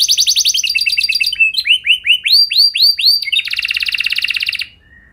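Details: A canary, played as a lure to set other canaries singing, sings a fast, varied song: buzzy rolling trills, then a run of rising whistled swoops, ending in a rapid high rattle.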